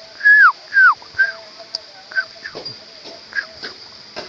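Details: Sooty-headed bulbul at its nest, found while searching for nests: two loud drawn-out downslurred whistled notes, then a series of shorter, fainter downward notes at a fast irregular pace, with a steady background hiss.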